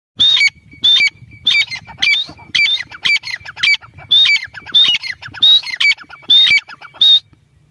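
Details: ['Grey francolin calling: loud, strident, high whistled phrases repeated about every 0.6 seconds, each a sharp rising note followed by a lower clipped one, over quiet outdoor background.']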